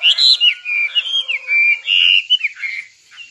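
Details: Singing nightingale giving a short phrase of smooth whistled notes that slide up and down, some held briefly, ending softly.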